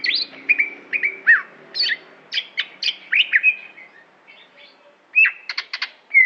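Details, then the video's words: Greater green leafbird of Aceh singing a fast medley of whistled slurs and sharp chips, quieter mid-phrase, closing with a burst of rapid high notes. "Cucak Hijo Aceh Prestasi"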